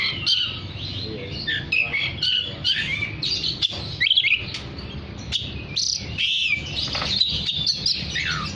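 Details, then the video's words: Oriental magpie-robin singing energetically, meant to prompt other magpie-robins to join in; rapid varied whistled phrases, trills and sharp chirps pour out without pause over a constant low hum. "Terapi Suara kacer gacor untuk memanggil kacer lain dijamin langsung ikut bunyi"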